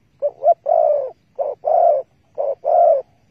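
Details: Spotted dove recorded during bird trapping with bare bait on 15 August 2020; low, mellow cooing in three paired phrases, each a short double coo followed by a longer, steady coo, repeated roughly once a second over a quiet background.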